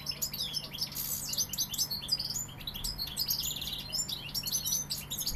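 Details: Sevillian-type European goldfinch singing fast, sweet twittering phrases laced with short buzzy trills and a quick rattle, nonstop over low background hum.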